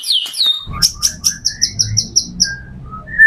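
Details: White-rumped shama, played to draw in other shamas: falling whistles, then a steady string of about ten evenly spaced high chips with softer lower notes, faint background hum.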